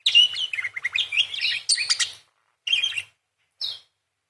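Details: Parakeet singing actively in the 'nyerecet' style: rapid chattering warble of twisting high notes for two seconds, followed by two short scratchy bursts separated by silence.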